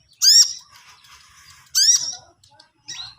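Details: Long-tailed shrike learning to sing gives two loud, harsh, rising squawks about one and a half seconds apart, a softer scratchy murmur between them, then a shorter third note.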